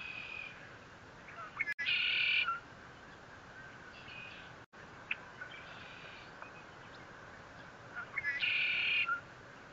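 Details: Bald Eagles at their nest, 57 feet above the ground at Fort St. Vrain, on 21 April 2024; short bursts of high squeaky chittering notes at intervals, over steady wind and rural background noise.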